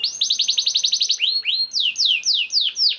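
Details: Young canary in full song, used to stimulate other canaries: a quick rattling trill of rapid notes, then slower loud swooping whistles that rise and fall.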